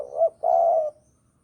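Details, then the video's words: Spotted dove of Java singing for use as a trapping lure: a short coo that rises and then drops, a pause, and a sustained, even coo of about half a second. The background is quiet. "Pancingan Derkuku Jawa || Cocok Buat Masteran Pikat"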